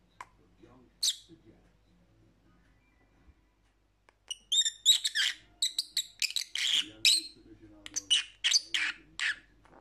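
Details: Lovebird chattering for lonely pet parrots: near-silence with a single sharp chirp early on, then a lively burst of high, rapid, squeaky chirps and twitters running to the end.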